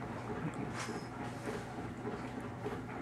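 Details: Steady broadband rumble and hiss, like a passing vehicle or machinery, continues throughout with no clear animal voice.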